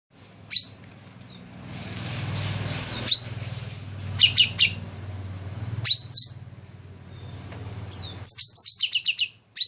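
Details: Black-throated laughingthrush, a first-place competition bird, recorded in 2014: scattered groups of very high, sharp chirps and quick descending ticks with pauses between, over a steady low hum and a faint constant high tone.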